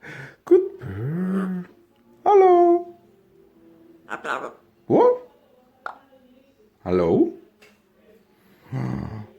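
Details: Nine-month-old pet Amazon parrot indoors, newly able to cough and then talk like a human: short harmonic speech-like utterances and squawky calls spaced by pauses, with a person speaking to the bird between them.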